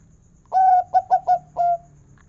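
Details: Perkutut, a local zebra dove with a big 'kung' voice, singing as a lure for other zebra doves: a sustained mellow coo, three short bouncing notes, and a shorter closing coo, against a quiet background.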